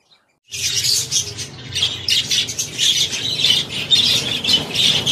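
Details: Indoor finches chattering loudly and continuously, dense high-pitched chirps and squeaky twitters overlapping in quick bursts after a brief silent start, with a faint low hum beneath.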